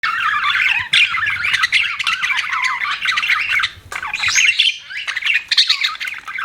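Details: Pet budgerigar chirping: continuous warbling chatter of quick, wavering chirps and squeaky notes, with short louder bursts and a few higher squeaks.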